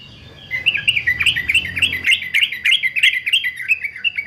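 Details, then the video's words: Fighter male yellow-vented bulbul, offered for singing training, delivers a quick, chattering stream of bubbly whistled notes, about three or four a second, steady throughout after a brief quiet start. "TRUCUKAN JANTAN FIGHTER ANTI BISU"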